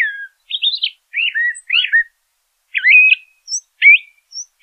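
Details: LeConte's thrasher delivering separated, choppy song phrases, each a quick up-and-down warble, spaced about half a second apart with short high notes between.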